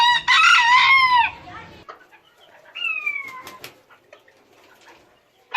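A rooster gives a loud, harsh crow lasting over a second, then a second, thinner crow slides downward; faint clucks and farmyard noise follow.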